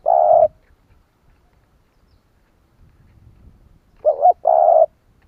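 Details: Spotted dove calling to make other doves respond, one steady low coo, a pause, then a short wavering note leading into a longer even coo; otherwise silent surroundings.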